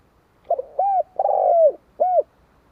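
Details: A single phrase from a spotted dove: a brief double note, a smooth arched coo, a long rough note that falls at its end, and a closing rounded coo, with near silence around it.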